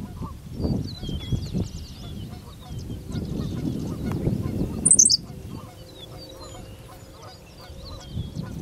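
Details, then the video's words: Henslow's sparrow song in Goose Lake Prairie: one brief, thin, high hiccup of clustered notes midway, over steady low rumbling background and scattered calls of other birds. "Henslow's Sparrow song"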